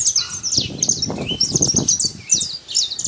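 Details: Saffron finch out in nature, singing high chirpy phrases in bursts, set against fairly loud low rumbling and handling-like noise throughout.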